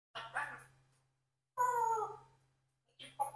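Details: Four-year-old pet Congo African grey parrot kept indoors, imitating human speech and attempting the word cockroach; three short voice-like utterances with harmonic, drawn-out middle phrase, separated by silence.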